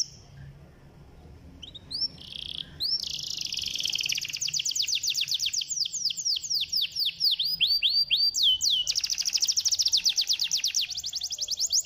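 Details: Canary song meant to provoke a lazy canary to sing: soft start, then swelling high rapid trills of sweeping notes that speed into a dense, fast, buzzy rattle.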